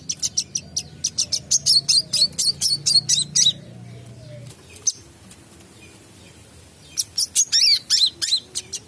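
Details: A wiceh, recorded as a song tutor for other birds, sings bright, high chirps in fast bursts of about four per second, pausing several seconds between runs, over a faint low hum.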